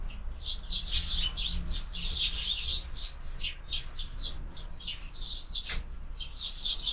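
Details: Several sparrows at a feeder, feeding in the afternoon, chirp busily together, a dense overlapping chatter of short bright notes, several per second, over a low rumble of background noise.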